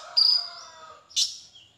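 Copper-throated Sunbird: a thin, high, level whistle lasting under half a second, then a brief sharp buzzy note after a short pause.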